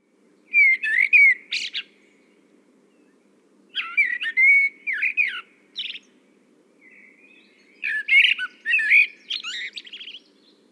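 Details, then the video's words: Common blackbird song, Europe: three mellow fluting phrases a few seconds apart, each trailing into higher squeaky twitters, over a faint low hum. "that sound belongs to the common black bird what bird makes this sound [Laughter] [Laughter]"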